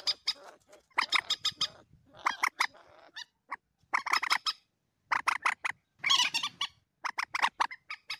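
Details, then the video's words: Common moorhen calls used as a hunting lure: bursts of harsh, clucking notes in quick clusters separated by short silences, fairly quiet and rough-textured. "suara pikat mandar batu"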